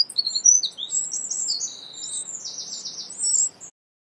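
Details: Eurasian wren family at their big nest beneath a pavilion, protected from wind and rain; a quick jumble of thin, high squeaks and short trills, stopping abruptly near the end.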